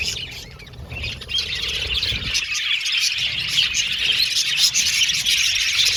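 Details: Budgerigars in an aviary colony: quieter at first, the high chattering chorus swells after a couple of seconds into rapid, overlapping chirps and warbles repeated about twice a second.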